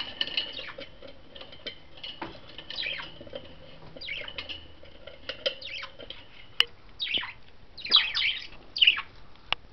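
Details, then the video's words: Five pet budgerigars outside the cage exploring a toy barrel on the cage top; irregular bursts of scratchy chirps and warbling chatter, about one a second, with clicks and tapping. "5 budgies out of the cage with a barrel"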